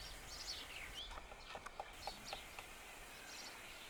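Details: Black-rumped flameback woodpecker pecking at a neem tree while feeding on insects near Khood, Sikar, Rajasthan; a run of dry, sharp taps, quickening around the middle, with faint chirps from other birds over a soft rural background hiss.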